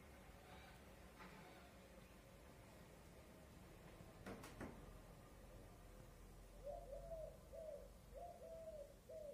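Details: Common cuckoo at a village: soft, low hooting notes in a quick two-part pattern come in late, after a quiet stretch with a couple of sharp knocks.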